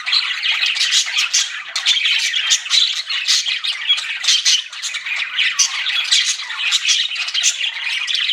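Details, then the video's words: Budgerigars kept as pets chirping nonstop, a continuous rasping, buzzy chatter of overlapping squawks and scratchy warbles with no pauses, described as flirting. "CUTE PET BUDGIES CHIRPING"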